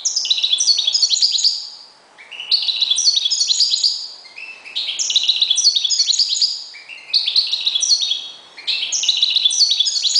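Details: European goldfinch kept as a decoy bird delivers a near-continuous run of liquid, twittering song phrases, high and tinkling, broken only by brief gaps about every two seconds.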